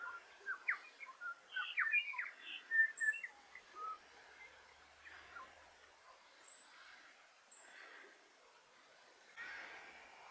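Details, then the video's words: Korimako, the New Zealand bellbird, in winter while feeding on insects near Kapiti: a quick jumble of short whistled and chiming notes in the first few seconds, then sparse high thin notes and quiet gaps. "Bellbird / Korimako in Winter with birdsong"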